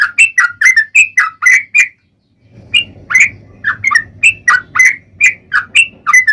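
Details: Sooty-headed bulbul in full, long unbroken "ropel" song, used as a lure to make other bulbuls answer: loud, fast run of bubbly chirped notes, a brief pause, then the chattering resumes over a low steady hum.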